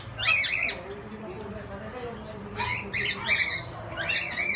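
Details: Rose-ringed (Indian ringneck) parakeet in an aviary in Quezon City giving three bursts of harsh, raspy squawks about a second and a half apart, over a low background hum.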